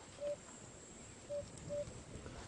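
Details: African cuckoo (Cuculus gularis) calling at sunrise, about 7:00 on 15 October 2016, on a safari drive in Djuma Game Reserve: short, soft, hollow hooting notes on one low pitch, three within two seconds, over faint rural hiss.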